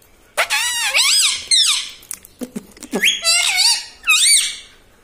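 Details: A tota, the talking parrot said to call 'Mitthu', 'papa' and 'mummy', voices a string of loud wavering nasal syllables with clicks in between, sounding like rapid spoken words.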